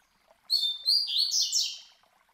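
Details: Classic Tui Tui Zel Zel phrase of a master coleiro, a double-collared seedeater, used as a tutor song for young birds: bright high whistle followed by a quick tumbling series of sharp, sweet notes fading at the end.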